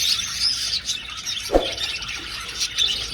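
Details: Aviary flock of budgerigars in flight, bright chirping and scratchy warbles from many birds, with a single dull thump partway through.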